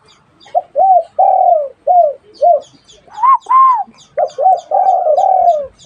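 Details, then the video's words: Dove cooing in a rapid run of short, hollow, slightly arched notes, some drawn out longer, with two higher-pitched notes in the middle, against a quiet background. "Tiếng chim cu"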